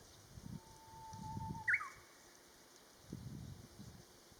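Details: Japanese bush warbler giving one song phrase, a held low whistle that snaps into a bright rising-falling flourish, over low rumbling background noise.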